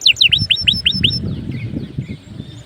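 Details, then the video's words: Canary lure song intended to get other canaries singing: about six quick whistled downslurs in a second, after which the song fades into faint notes under a rumbling background noise. "PANCINGAN SUARA KENARI GACOR || kenari gacor ampuh bikin kenari lain ikut gacor"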